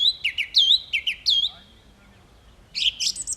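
A song thrush sings clear, high, whistled phrases, each repeated two or three times. A brief pause follows, then a burst of brighter, more scratchy notes.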